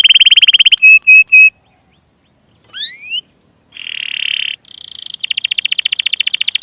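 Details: Canary lure song for young and stalled canaries: a fast high trill and clipped piping notes, a pause, thin rising slurs, a harsh rasp, then a bright rolling trill repeated rapidly.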